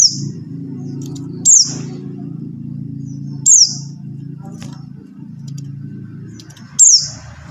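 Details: Buxtoni white-eye calling, played to coax non-singing white-eyes into song; brief piercing notes slide downward, spaced irregularly, with a constant low rumble beneath.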